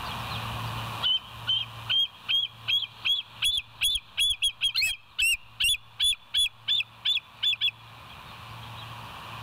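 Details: A bald eagle filmed by the West End nest cam, 29 August 2023, early morning, chatters in a long run of high piping notes that quicken and overlap midway, then stop.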